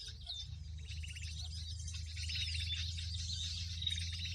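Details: Noisy mixed bird chorus used as a trapping lure to draw birds onto bird-lime sticks: dense overlapping high chirps and rapid rattling trills, with a steady low hum beneath.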